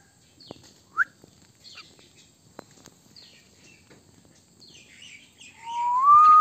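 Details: An Indian common myna giving a sharp upslurred whistle, scattered chattering notes, then a loud rising whistled note held for about a second.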